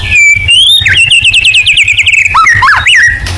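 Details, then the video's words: White-rumped shama singing a loud, fast run of clear whistled notes, sliding and trilling in a rapid rippling series before ending in sharp up-and-down whistles, over a low steady hum. "Pancingan AMPUH BONGKAR MATERI MURAI BATU FULL NEMBAK"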